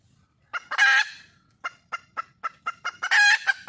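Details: Wild red junglefowl hen calling to find a male: a loud harsh squawk, then a run of short clipped clucks building into a second loud drawn-out squawk.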